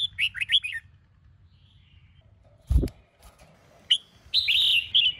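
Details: Sông Kôn red-whiskered bulbul, morning training song. It opens with quick bouncing whistled notes, a dull knock interrupts midway, then a further bright warbled phrase follows.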